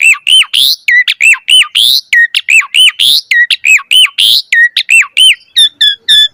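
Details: Javan pied starling pumping out vigorous song to prompt young starlings: rapid loud arched whistles with strong overtones, several each second, ending in a series of thinner, higher repeated notes.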